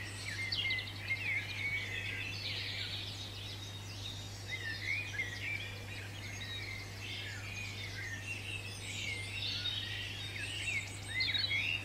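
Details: European robin in a British garden, UK: high, thin warbling phrases of quick twittering notes and short whistles, varied and near-continuous, over a steady low electrical hum.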